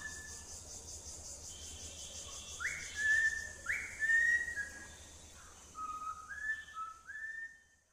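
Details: Pet cockatiel giving a melodic whistle: a held tone, then upward-jumping notes followed by a lower stepped phrase about once a second, fading out at the end, with a faint hiss behind.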